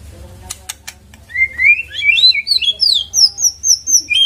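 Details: White-rumped shama song played as a lure to get the bird singing: after a few faint clicks, clear whistled notes climb and vary rapidly into a bright, high, rhythmic sequence of slurred phrases.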